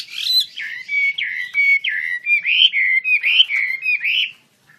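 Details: Chinese hwamei, wambi kembang type, singing hard while spreading its wings, repeats loud slurred whistles, each dipping then climbing, roughly every half second, with sharp chips laid over the phrases.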